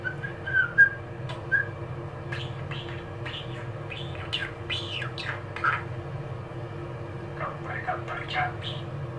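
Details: Male budgerigar, eight years old, chatting in a bathroom on a cold winter day in January 2024: soft warbled whistles, then bursts of quick, scratchy, speech-like chirps and squeaks, over a constant low room hum.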